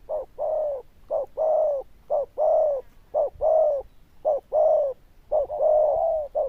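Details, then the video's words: Zebra dove, loud bell-like voice, fairly good coo: repeated pairs of a short note and a long even coo, close to one per second and strongly delivered. "Đồng Chuông Lớn Tiếng, Nước Gù khá Tốt"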